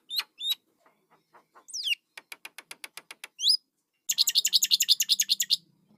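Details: Nestling starlings give scattered sharp chirps, a rising swept whistle, a steady row of evenly spaced clicks, then a loud rapid volley of rasping squawks over a faint low hum.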